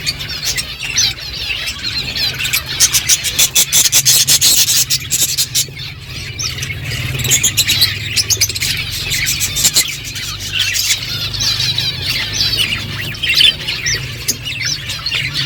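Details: Several budgerigars chirping while eating: dense, overlapping high chatter with bursts of sharp clicking and cracking, over a steady low hum.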